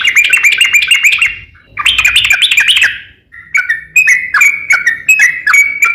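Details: Sooty-headed bulbul in 'gacor ropel' song, a lure to make other bulbuls sing: two dense bursts of bubbling, warbled whistles separated by a gap, followed by evenly spaced, clipped whistled notes.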